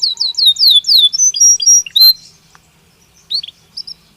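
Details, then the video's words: Belgian canary singing naturally: a short series of bright falling whistled notes and quick chirps, fading into near silence with a few soft notes at the end. "Canario Belga Cantando Naturalmente"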